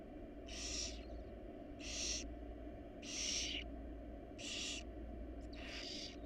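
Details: Wild barn owl family inside their nest box: harsh, broadband hissing screeches repeated roughly every 1.2 seconds, five in a row, over a steady low hum.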